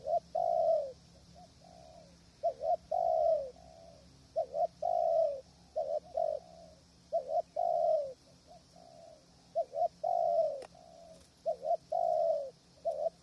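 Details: Spotted dove kept as a decoy for trapping from a hide, strong wind and distant wild birds: a long run of regular cooing phrases, short paired notes alternating with sustained falling coos every couple of seconds.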